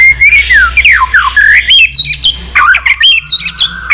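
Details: Excited white-rumped shama in competitive many-voiced song, an old wild-caught bird flicking its tail continuously. Quick swooping whistles tumble downward, followed by short chipped notes and upslurred phrases.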